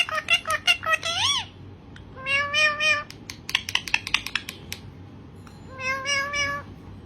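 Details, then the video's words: A male green parrot talking to himself: bursts of nasal, speech-like syllables, some drawn out into meow-like wails, with short pauses between phrases. "Green Parrot Talking Himself"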